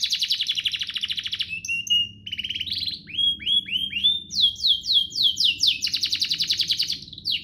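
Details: Canary performing a showy song meant to train young canaries and stimulate singing: dense buzzing trills, flat whistles, a run of repeated upslurred notes, then fast falling chirps and another rolling trill.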